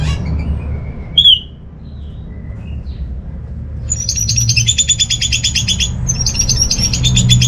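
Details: Orange-headed thrush song meant to prompt idle home birds to start singing: a lone squeaky note, a quiet stretch, then a long fast stream of high, trilled and whistled notes over a constant low hum.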